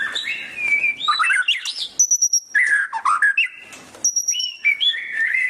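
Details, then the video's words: Murai batu, the white-rumped shama, singing rich varied phrases: fluty mid-pitched whistles, a steady very high thin note held about half a second twice, and quick chattering bursts between. "Suara Burung Murai Batu | Gacor"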